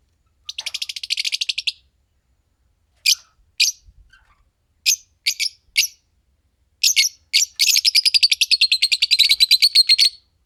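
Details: Fischer's lovebirds, a green pair, singing and chirping: rattling runs of high, sharp chirps, scattered single chirps with gaps, then a long, fast, steady chattering series.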